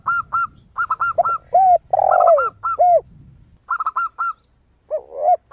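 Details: Zebra dove (perkutut) singing energetically, kept as a lure to prompt other doves to sing: bursts of rapid staccato mid-pitched notes in quick runs, interleaved with lower arched coos from a spotted dove (tekukur).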